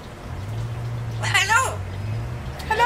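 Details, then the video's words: Pet talking parrot, kept in an indoor free-flight aviary and caged only when brought out, which can talk but cannot whistle yet; one short, strongly harmonic spoken-sounding utterance with wavering pitch, a brief second note at the end, steady low hum behind. "sure can talk but he can't whistle yet!"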